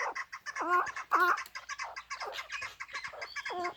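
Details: Hybrid chukar partridge, described as a fighting and hunting bird, repeats strong nasal chuck notes, with softer overlapping chattering calls from other birds around them.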